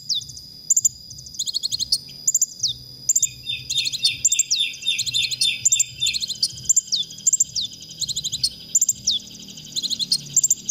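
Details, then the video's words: Konin singing in a recording played to songbirds to trigger their emotion; repeated bursts of piercing chirps and downslurred whistles, with a fast chattering run early on, and muted rhythmic low thuds throughout. "masteran konin untuk bongkar emosi"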